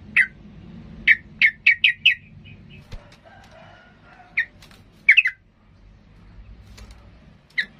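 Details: Agitated sooty-headed bulbul singing to provoke rivals into fighting: a quick run of sharp, bright chirps in the first two seconds, then scattered single notes and short doubled chips over a faint low hum.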